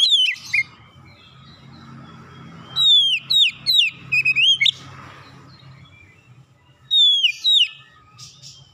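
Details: Oriental magpie-robin calling, presented as a therapy recording: loud clear whistled notes sliding down from high pitch, delivered in short bursts of three to five with pauses between, over a faint low hum.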